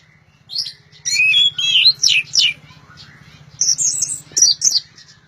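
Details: Loud orange-headed thrush song with bright whistled phrases that slide up and down, delivered in quick separate bursts. A pause in the middle is followed by higher trilled notes, with a constant low electrical hum underneath.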